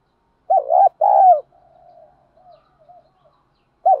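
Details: Lure cooing of spotted doves, male and female, played to quickly rouse birds into calling. A loud low double note and a long falling coo, then fainter answering coos in the background, and the start of another phrase at the end.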